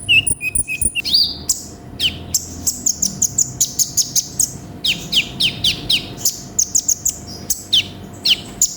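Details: Sunbird (konin) singing energetically with many inserts, recorded for song-training: a long, dense, rapid series of thin high chips and short downslurred notes, broken by brief pauses, with a low steady hum beneath.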